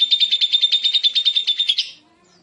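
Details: Short burst of lovebird 'ngekek' trilling, the call meant to make other lovebirds answer: about fifteen quick, high, evenly spaced notes over two seconds, ending in a slightly higher note before falling silent.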